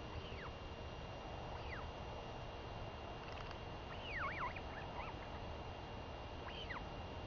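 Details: Female royal albatross chick calling to beg for lunch as her mother comes home after seven days at sea, 23 May 2021; scattered high arching whistles with a cluster of quick wavering notes near the middle, under constant broadband hiss.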